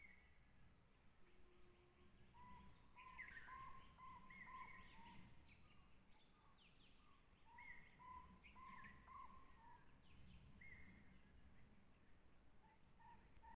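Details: Jungle owlet, or barred jungle owlet, at Tansa Wildlife Sanctuary, Maharashtra, India: fairly faint bursts of short, rapid, mellow notes repeated in runs with higher overtones, a few thin higher chirps, over a steady background hiss.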